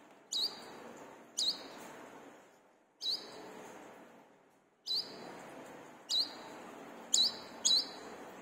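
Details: Brown-throated sunbird sounds played to train caged birds; seven piercing high chirps, each a short upward flick, spaced roughly one second apart over a constant hissing background.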